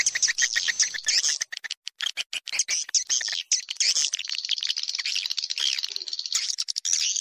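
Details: Swiftlets' lure call: sustained high, chattering twitter mixed with rapid ticking notes, steady throughout.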